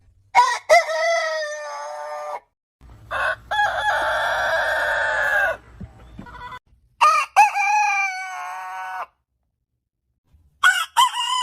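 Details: Several roosters crowing in turn: sharp harmonic crows separated by silences, one long rough drawn-out crow over low rumble, and later short bright crows rising and falling.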